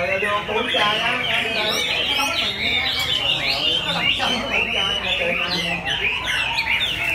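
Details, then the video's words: Recently moulted Chinese hwamei singing through the day: a dense, rich stream of high, varied whistles and rapid slurred phrases pouring out without pause, with people talking quietly underneath. "Hoạ mi đạt đất hót cả ngày"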